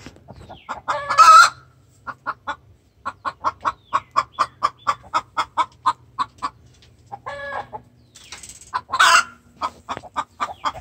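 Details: Caged hen giving a distress call to the rooster, extremely vocal: loud harsh squawks at the start and near the end, between them a long run of short, evenly spaced clucks about three per second.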